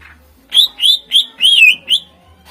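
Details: Cucak ijo, greater green leafbird, used to lure contest birds: five loud whistled notes, rising then slurring, one longer note bending downward, delivered in under two seconds.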